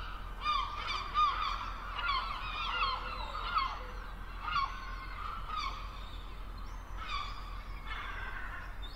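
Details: Gulls calling over the sea: a run of loud, harmonic, slightly nasal yelping notes, some clustered in quick laughing bursts and some drawn out, with further calls after pauses and a steady low background rumble.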